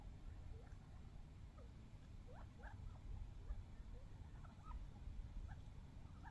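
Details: Young wild desert quail fighting over bird seed give scattered short squeaky chirps, mostly quick rising notes from several birds at once, over a steady low rumble.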